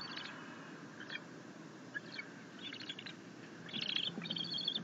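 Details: Bald eagle eaglet at the nest receiving a fish from its mother after trying to feed itself on a rabbit. Faint chitters at first, then louder, sustained high trilled chittering toward the end.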